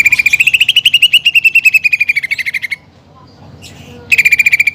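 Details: Greater green leafbird singing at full strength, with fighting-sparrow and woodpecker material in its song; a quick machine-gun run of clear notes lasting nearly three seconds, slowing and dropping at the end, then a pause and a second run.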